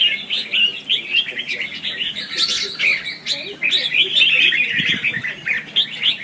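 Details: Red-whiskered bulbul competitive lure song for training and trapping: fast, busy warbling with quick repeated chirpy notes and brief louder bursts, plus a faint low thud near the end.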